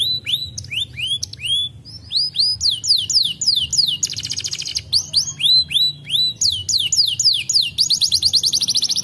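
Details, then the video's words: Canary song of varied phrases: looping downslurred whistles, then a dense buzzy rattle, more slurred notes and a fast rolling trill near the close. "пачуць адзін раз гук канарэйкі адразу"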